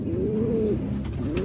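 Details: Racing pigeon from a Philippine loft: one low, soft coo swells and falls over about three quarters of a second, and a second coo begins near the end, over steady low rumble and a faint high whistle.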